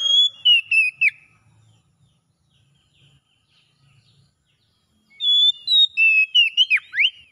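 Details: Oriental magpie-robin singing in ngalas style, used as therapy to bring back song in a bird that has stopped singing: bright whistled phrases with sliding and falling notes, a burst in the first second, a quiet pause, then a longer rapid run from five seconds.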